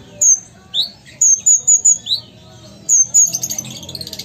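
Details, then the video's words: Sumatran Ruby-cheeked sunbird in busy song, giving clusters of piercing high slurred whistles and single rising chips, ending in a rapid twittering flurry. "Konin Gacor Kolibri Ninja Asli Sumatera"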